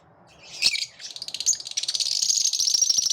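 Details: Several lovebirds singing together with enthusiasm: a short harsh squeak, then dense high-pitched chattering that builds into rapid, even trilled pulses.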